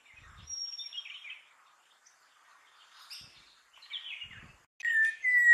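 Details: Malabar whistling thrush singing at dawn in forest, Western Ghats, India. Soft warbling phrases, then a loud, clear whistled note that slides down and back up near the end, with faint chirps and a thin high whistle behind.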